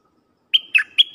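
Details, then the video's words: Caged decoy dok taeng bird singing to lure wild birds: a short burst of three bright chirps near a high whistled tone, the first clear and sliding, the others more clipped, over a quiet background. "เสียงนกดอกแตงEp.132นกต่อจ้าวขันเงิน เปิดดอกเรียกนกป่า เพลงเพราะน่าฟัง"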